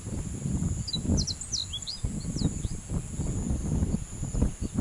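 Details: Japanese reed bunting singing a short phrase of quick, high chirps and sharp slurred notes, some rising, some falling, over heavy low wind rumble outdoors.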